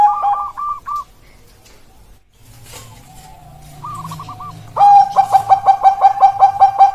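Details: Bangkok-strain zebra dove (perkutut) from a stock update dated 16 October 2023: quiet at first with a brief higher rolling coo, then a loud rapid series of short mellow coos pulsing several times per second for the final two seconds.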